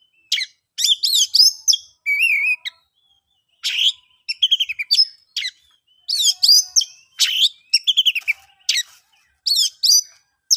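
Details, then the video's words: Oriental magpie-robin singing in the ngeplong style, used to coax stalled or silent magpie-robins into song: rich, varied whistled phrases, some sweeping and warbled, others buzzy, in short bursts separated by brief pauses, with no other sounds. "KICAUAN ASLI KACER NGEPLONG, paling ampuh di jadikan pancingan kacer macet & bisu jadi GACOR"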